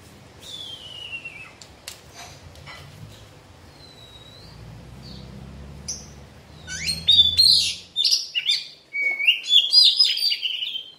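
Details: Oriental magpie-robin in its moulting period: a quiet stretch with a few faint high whistles and a low background hum, then a loud burst of varied, rapid high chirps and sharp whistled notes over the last few seconds.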